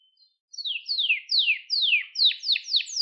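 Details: Canary singing to train young birds: after a brief pause, a series of slurred downward-sweeping whistles, each lasting under half a second, speeding up toward the end.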